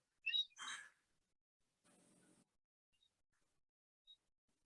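Slender-billed White-breasted Nuthatch giving two quick, nasal, harsh notes close together, followed by a brief hiss of static and a few faint high ticks.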